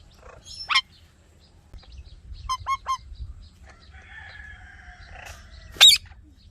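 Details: Ringneck parakeet chirping: an isolated sharp call, then a short run of three or four quick bent chirps, a buzzy drawn-out note, and a final loud shrill squawk, with faint low hum underneath.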